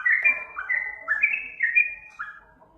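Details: Short burst of yellow-vented bulbul song for luring birds: warbled whistles sliding down and up, a little muffled, with soft low thumps beneath.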